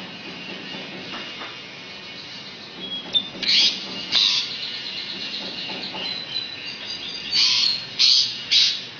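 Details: Asian pied starling (jalak suren) singing a song filled with mimicked magpie-robin and canary phrases: harsh, scratchy high bursts in short clusters, mixed with thin, clear whistled notes and faint chattering over a quiet background.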